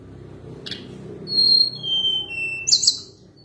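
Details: Sunda blue robin giving thin, clear whistles that glide downward in pitch, closing with a brief high twittered burst over faint background hum.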